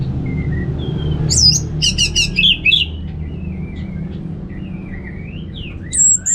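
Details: Orange-headed thrush singing in ngeplong style, a therapy track: a dense run of sharp high chirps and buzzy notes, then thin drawn-out whistles sliding up and down, over low rumbling hum.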